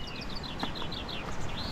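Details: Birds singing beside a river in the Philippines, heard during a walk. Short high whistled notes and chirps repeat in quick succession over a steady rush of flowing water.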